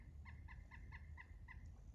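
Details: On a homestead property during a nature walk, a woodpecker gives a steady series of six short, nasal notes, about four each second at an even pitch, over a low outdoor rumble.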